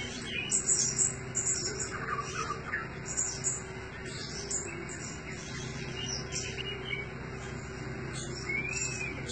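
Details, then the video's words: Blue-crowned hanging parrot kept as a decoy bird, giving thin, very high-pitched short notes in quick bursts, with a steady low hum and background noise throughout. "Denak serindit dada merah"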